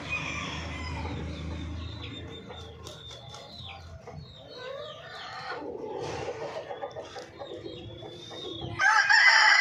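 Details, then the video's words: Golden Misri chicken calls mixed with short whistled chirps of small birds and scattered clucks, rising to a loud harmonic call near the end over a low rumble. "Hen sound effect | Murgio Ki awaz | Golden misri Murgi"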